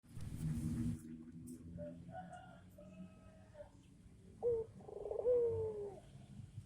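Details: Tame barbary dove giving soft, low coos, a few faint hums followed by two clearer drawn-out notes near the end, over a steady background hum and rustling.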